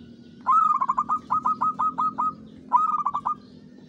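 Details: Local zebra dove used as a lure, singing the Mataram pakem rhythm: a bright rising opening note then a long run of quick clipped coos, followed after a gap by a shorter similar phrase, over low hum.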